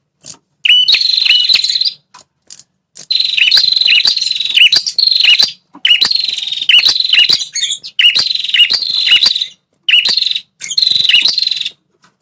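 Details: Red-headed prinia calling, used to make territorial male prinias respond angrily: repeated bursts of high, buzzy, steady-pitched notes with sharp chirps, each burst lasting one to two seconds with short pauses between.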